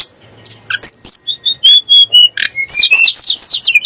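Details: Sunda blue robin song, used to provoke magpie robins and other birds into singing: a fast, varied run of high whistled notes, sharp chips and short slurred phrases, with brief pauses between bursts.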